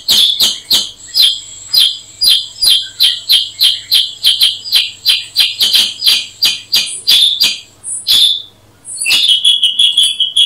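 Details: Black-headed bulbul (Brachypodius atriceps) giving a long series of sharp, high chirps, roughly three a second for eight seconds, a brief pause, then another quick burst.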